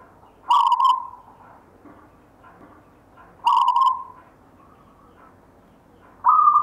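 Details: Local wild-type zebra dove (perkutut), a grandfather's inherited bird, singing the rhythmic gayer style: three rich coo phrases a few seconds apart, each starting with a bright clipped burst and trailing into a steady tone, with soft background rustle.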